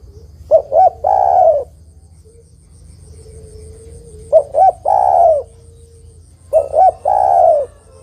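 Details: Zebra dove female calling for a male, used as a decoy sound for trapping. Three repeated phrases of two short hoots followed by a drawn-out coo, with a faint steady low tone between phrases.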